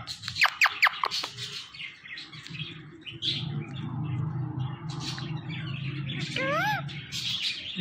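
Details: Talking parrot kept as a pet: quick sharp chirps early on, then a rising-and-falling harmonic whistle near the end, over a steady low hum and faint music.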